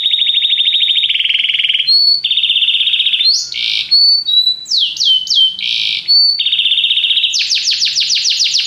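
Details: Canary delivering a rich varied song: long buzzy trills alternating with short pure whistles and falling slurs, ending in a fast series of sharp descending notes.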